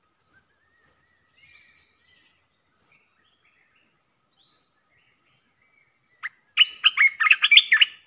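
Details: Red-whiskered bulbul used as a decoy to stir up other bulbuls: several spaced, thin high whistles and soft notes, followed near the end by a loud, rapid burst of chattering, warbled song phrases.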